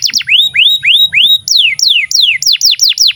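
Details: Canary singing to tutor young and silent canaries: upward-curving slurred whistles repeated about three times a second, switching to quick downward-sweeping notes.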